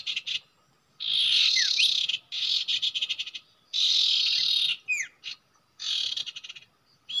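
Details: Common iora singing at its usual nesting site, a bird-trapping spot: long, dense, buzzy high phrases repeat every second or so, broken by short gaps and quick rising chirps.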